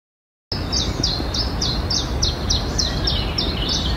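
A common chiffchaff sings a steady run of high, slightly off-key notes, about three or four per second, over a low rumble of background noise.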